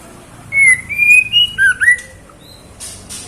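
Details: Female white-rumped shama calling the male: a short phrase of clear whistled notes, level then stepping up, followed by a lower slurred pair, about one and a half seconds long, with faint clicks and tapping afterwards.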